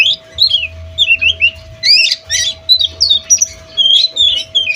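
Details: Oriental magpie-robin learning song material, giving scratchy, twisting high notes and short squawky phrases, with a steady electrical hum and low rumbling in the background indoors.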